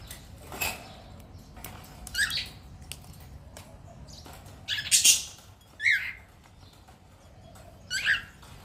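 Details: Pet cockatiel giving short, harsh squawking chirps, about five separate bursts spread over several seconds, with quiet indoor background between calls.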